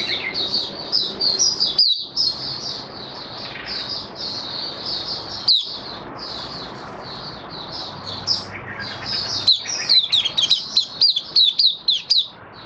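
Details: Caged white-eye in Singapore, 18 May 2022, in open song after deworming and supplements: long run of high, sweet warbling notes with brief pauses, ending in quick bright twitters over a constant low hum.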